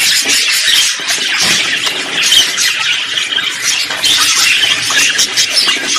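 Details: Budgerigar courtship and contact song mix, heard as steady high twittering chatter with squeals and rapid chirps tumbling together without pause.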